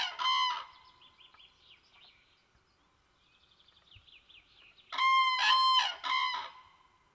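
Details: Common crane nesting by a small pond with eggs and chicks: a short loud trumpet at the start, then faint twittering of small birds, then a powerful series of three rolling bugle notes near the end.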